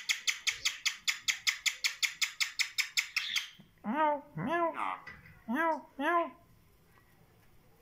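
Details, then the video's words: Talking kandari myna: a fast burst of about fifteen sharp, evenly repeated chirps, then several hoarse, voice-like spoken syllables with rising and falling pitch, ending in quiet. "Mayna talking kandari bird"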